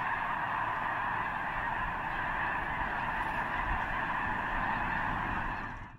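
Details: Huge wild flock of snow geese gathered near the eastern end of Potholes Reservoir, likely before migrating north to breed on arctic tundra; a dense, continuous roar of overlapping honking calls with no gaps, steady throughout.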